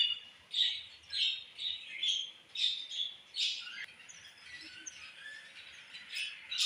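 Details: Budgie mother feeding her baby: quieter pulsed chirps, roughly two per second, each a short raspy squeak, then a looser run of thinner twitters and a sharp click near the middle.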